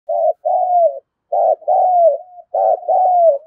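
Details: Spotted dove cooing, used to stimulate other doves: three two-part coos, each a short low note then a longer note sliding downward, repeated about every 1.2 seconds, with no other sounds.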